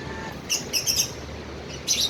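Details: Tame pet cockatiel during play, giving bright, thin chirps in a loose cluster of three or four notes, then a pause and another short chirp at the end, with faint room noise.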